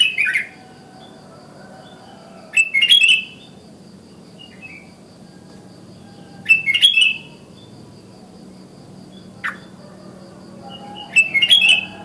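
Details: Sooty-headed bulbul in the wild, morning calls meant to prompt other bulbuls to join in. Brief liquid chirping bursts repeat roughly every four seconds over a quiet background hum.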